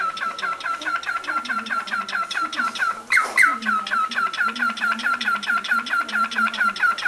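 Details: A pet cockatiel gives rapid, repeated chirping notes in a steady run, with a low murmur behind.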